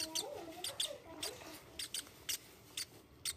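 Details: Hungry pet Rosy-faced lovebird chick, violet colour, being hand-fed and eating eagerly; harsh, buzzy chirps repeated about twice a second, with a person's voice murmuring at the start.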